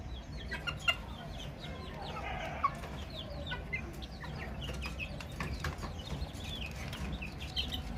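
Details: Baby chicks chirping as a flock: many short, high, downward-sliding peeps overlapping in quick irregular succession, with steady low rumbling background noise and a few soft knocks.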